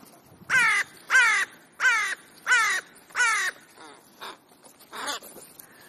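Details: Many crows gathered on an afternoon in Clara Zetkin Park, Leipzig, Germany; a close crow gives a rapid series of loud, hoarse caws, about five strong ones in quick succession, then softer caws trailing off.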